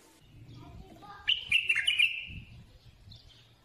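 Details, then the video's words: Bulbul delivering one quick bubbling phrase of several liquid, slurred notes lasting about a second, over a low, rumbling background hum. "سمع بلابيلك وشوف تغريد بلابل"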